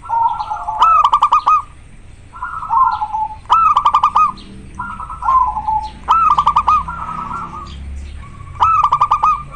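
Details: Local zebra dove in strong breeding condition, singing persistently with a very clear, natural voice: trilled, stuttering coo phrases repeated about every two seconds, with sharp clicking bursts between phrases.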